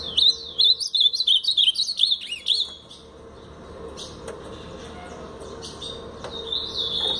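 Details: Blue-black grosbeak of the Paraná type, a brownish bird, singing a quick series of clear whistled notes with sliding upward and downward inflections over the first three seconds, then a fainter whistle near the end over steady background hiss.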